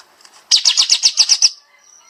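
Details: High, rapid 'tembak' burst from a bulbul used as a master recording for training songbirds: eight evenly spaced loud chirps, about eight per second, each dropping in pitch, fading into a faint whistle.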